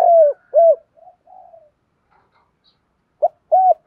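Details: Spotted doves, male and female, cooing to stimulate birds in training: two deep rounded coos, soft trailing notes, a pause, then a short note and another coo.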